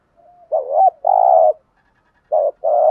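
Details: Spotted doves, male and female, coo to rouse a trained bird: a soft lead-in, a wavering coo and a long steady note, then the same two-part phrase begins again.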